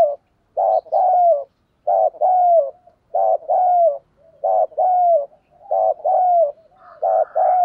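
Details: Decoy spotted dove cooing steadily to lure wild doves, a short coo followed by a longer falling coo repeated in an even rhythm about every 1.2 seconds, six times over.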